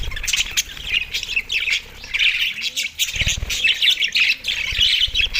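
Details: Australian budgies eating soft food, recorded December 4, 2023, produce a flock chorus. Bursts of scratchy chirps and warbles come in uneven waves, with short quieter gaps between them.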